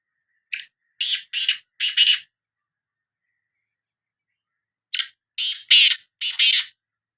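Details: Sindhi black francolin calling, the bulai or bular: two identical phrases about four seconds apart, each of four to five harsh, grating, buzzy notes delivered quickly, with silence between phrases.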